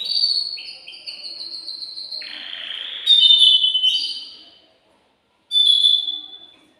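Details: An excited male canary sings to stimulate a female to mate, giving high whistled notes, a harsher lower rolling trill, then bright trilled phrases, a short silence and another whistled burst.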